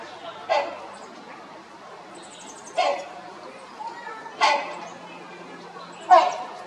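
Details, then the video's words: Rhinoceros hornbill at the Los Angeles Zoo, 6 March 2021, gives four loud, harsh, honking squawks about two seconds apart over a low background murmur. "Squawking Rhinoceros Hornbill"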